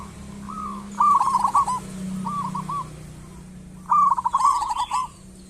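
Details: Local zebra dove singing energetically, used as a lure to get other doves singing: soft cooing phrases around a rapid stuttering trill, two bursts separated by quieter coos, over a steady low hum.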